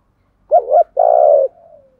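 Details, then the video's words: Decoy spotted dove cooing to lure wild doves. A wavering two-part hoot leads into a long, even, throaty coo that trails off into a fading tail. "chim cu mồi thúc gù bài bản nhất hiện nay, chim cu gáy kích bổi hiệu quả nhất hiện nay"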